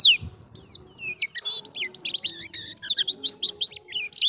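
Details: Pleci, white-eye, heard in the wild: fast run of high slurred whistles and chirps, several notes per second, a lively twittering phrase with a short gap near the start.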